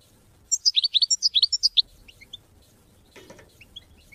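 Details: European goldfinch song used to motivate hunting and mating: a quick even series of about a dozen high chirping notes lasting just over a second, followed by faint scattered chirps and a short rustle.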